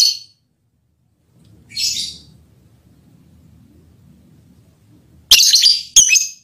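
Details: Lovebird calling during mating, aimed at its male partner: two separate high screechy notes early on, then after a quiet stretch with faint low background hum, two loud rasping squawks close together.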